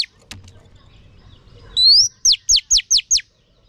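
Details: Female oriental magpie-robin song meant to stimulate males. A faint click comes first, then a slurred upward whistle and five quick, descending high-pitched strokes in a tight row.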